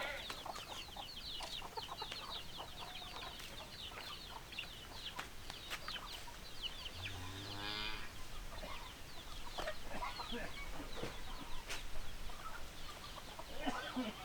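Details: Chickens in a farmyard setting give busy, overlapping clucks. Around the middle, a longer, drawn-out call with a low start rises above them. A low rumble and scattered knocks fill the background.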